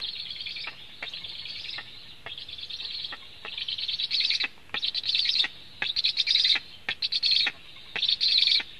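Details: Food delivery at a black stork nest in Latvia, recorded by nest camera on 24 July 2015 at 14:29; hoarse hissing calls come in choppy bursts that speed up and get louder, with dry clicks between them.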